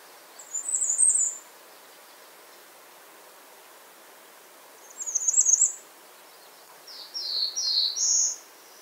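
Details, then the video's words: Bay-breasted warbler calling: three bursts of very high, thin, jittery notes spaced about three seconds apart, the last a run of short slurred notes that step upward, over a faint hiss. "Bay breasted warbler Calling."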